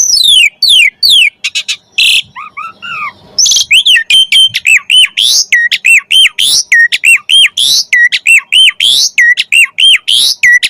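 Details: Javan pied starling song used as training material for songbirds: descending whistled slurs and a harsh chatter, then a fast, steady string of loud, looping whistled notes repeated about three times per second.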